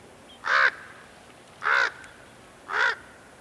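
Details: Common raven calling: three short, harsh, hoarse caws, each about a quarter second long and spaced roughly a second apart, over a quiet background.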